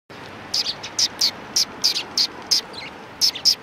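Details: Sparrows from a neighbouring flock at a Tenmangu shrine in Japan, recorded 14 March 2019: short bright chirps in irregular clusters, about a dozen notes over a few seconds, with faint background hum.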